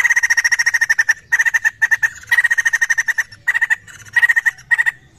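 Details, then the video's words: Laughingthrush call used as a lure sound, a rapid chatter of harsh repeated notes, about twelve per second, delivered in bursts of under a second to one second, separated by short pauses, in a quiet setting. "Sekali putar burung Poksay langsung nyaut"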